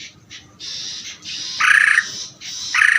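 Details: Greater green leafbird in ngeder singing. Rasping, noisy phrases start soft and grow into two loud, gritty, buzzy bursts near the end, each about a third of a second long.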